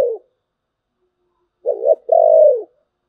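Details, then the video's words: A single thổ bầu style phrase from a spotted dove: a quick wavering note, then a long, smooth, low coo ending in a downward fall. "cu gáy giọng thổ bầu, nghe cũng hay phết"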